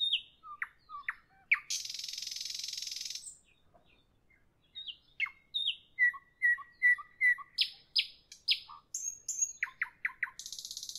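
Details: An evening song from a nightingale, varied and full of contrast: a harsh buzzy rattle, a short pause, then a string of sharp repeated chip notes and descending whistles, ending in another dry buzz.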